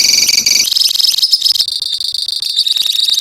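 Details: Several lovebirds kept as a colony trilling in long ngekek bouts: a piercing, very fast rattle that jumps higher after half a second and then holds steady as an unbroken shrill chatter.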